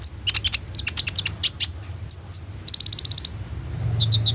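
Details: Captive Van Hasselt's sunbird singing hard, a lure for other sunbirds: hurried shrill chips and squeaks, then a dense buzzy trill of about twelve rapid notes, ending in high rattling bursts.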